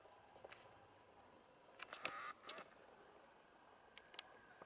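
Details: Great crested grebe at ponds in the Drava valley, 7 September 2024, gives one short, harsh, nasal croak midway, with a few faint clicks and ticks in an otherwise quiet pond setting.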